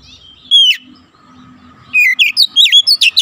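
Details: Oriental magpie-robin training song for young birds, 'nembak rapat' style: one sharp descending whistle, a quiet pause over faint hum, then a dense run of rapid, looping, high whistled notes.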